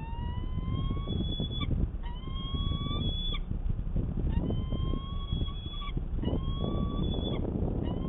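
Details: Peregrine falcon courtship in Manchester, New Hampshire, on the morning of 25 March 2020: long, slowly rising whining wails, each about a second and a half, repeated four times and separated by brief chips, with constant traffic rumble.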